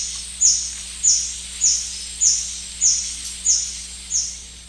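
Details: Along the Shiripuno River, a White-bearded hermit repeats seven shrill, high, downslurred squeaks at an even pace of roughly one every 0.6 seconds, with a steady low hum beneath.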